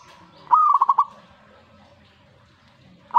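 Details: Zebra dove reacting to a master recording with one short burst of about six quick, pulsed coos. Faint chattering and a low murmur of other birds follow.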